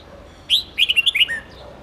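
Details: Song of a red-whiskered bulbul, used to train young birds in long 7-10 note songs: a sharp opening whistle, then a rapid run of five bright chirpy notes and a lower drawn-out closing note.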